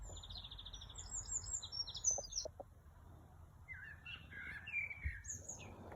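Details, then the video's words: Birdsong outdoors: a fast trill of high notes, then scattered thin whistles and chattering phrases from more than one bird, with low background rumble. "เสียงนกร้อง ไพเราะมาก"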